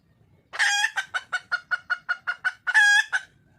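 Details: Wild junglefowl hen seeking a male. After a long raspy opening squawk comes a steady string of about ten short, evenly paced cackles, then a final drawn-out harsh note and a last clipped call.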